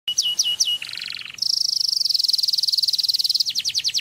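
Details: Canary song used to stimulate mating: falling whistled notes, then a low buzzy trill, a long rapid high rolling trill, and fast descending repeated notes near the end.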